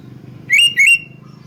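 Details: Sooty-headed bulbul song used to prompt other bulbuls to sing: two quick, bright, liquid whistled notes, each swooping up then down, with a low hum in the background.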